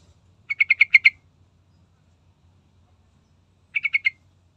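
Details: Sooty-headed bulbul played as a lure to get other birds singing: a rapid run of six buzzy notes, then after a pause of nearly three seconds a shorter run of four, over a faint low background hum.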